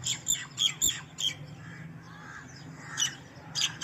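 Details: Young house sparrow giving bright, shrill chirps in quick bursts, several in the first second, a quieter gap, then more near the end, with a low background hum.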